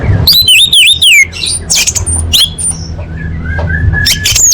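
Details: Orange-headed thrush song for training competition birds: a loud run of rapid, repeated wavering whistles, then scattered high notes and chirps, with a soft descending whistled series and a low hum.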